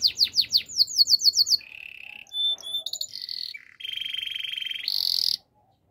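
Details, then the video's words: Canary song for training canaries. Quick tours of falling whistles give way to sustained rolling trills and buzzy notes at shifting pitches, then the song stops abruptly into silence. "Canary's Training Song"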